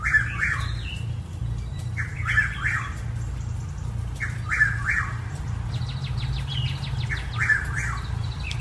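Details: Chuck-will's-widow singing in the middle of the night or early morning in a St. Petersburg, Florida neighbourhood in spring, repeating a loud, rolling three-part whistled phrase about every two and a half seconds over a low rumble, with another bird trilling higher up.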